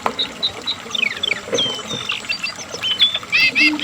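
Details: Asian brown flycatcher in energetic, continuous song: quick high chirps and short whistled slurs, some rising and some falling, with a run of bright doubled notes near the end, over a low steady hum.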